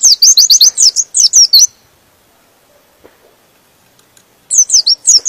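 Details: White-eye (pleci) singing in the gacor style that stirs rival birds to join in: a rapid run of high, bright, down-slurred chirps, a long pause, then another quick burst.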